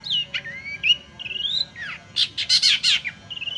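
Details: Long-tailed shrike song used as a lure: slurred whistles rising and falling between mid and high pitch, then a run of loud, harsh, buzzy bursts, ending on a steady thin whistle.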